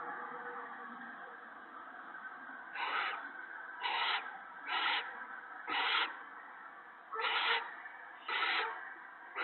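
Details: Nest of owls, with food being delivered to the mate and owlets on a March 2017 evening; loud, raspy hissing screeches repeat about once a second in a run of six, over a constant rushing background noise.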